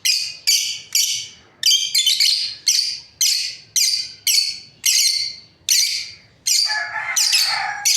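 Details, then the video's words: Lovebirds, a breeding pair, chirping steadily with a fast run of harsh, piercing calls about every half second, ending in a denser overlapping squawk with a lower tone beneath. "Lovebirds parrot chirping sounds | breeding pair"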